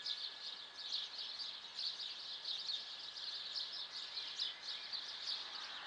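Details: Around 7:15 on an April morning (14 April) in a city, numerous birds sing at once, producing a thick wash of high chirping and twittering that swells in short bursts roughly every second.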